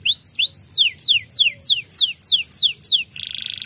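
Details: Song of a white canary said to make other canaries agitated: two rising slurs, a run of seven clear descending whistled sweeps, ending in a short dense buzzy trill.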